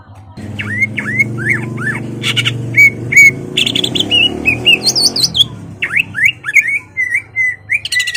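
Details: Greater green leafbird singing hard to provoke an opponent into fighting; a run of slurred, downward-curving whistles, a high buzzy twittered passage in the middle, then more falling whistles, over a low rumbling hum.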